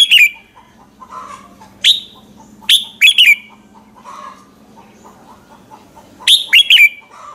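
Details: Red-whiskered bulbul singing in the morning, its song used as a lure to train and stir other bulbuls into competitive singing: short, bright whistled phrases that drop sharply in pitch, in bursts every second or two, over a faint low hum and soft distant chirps.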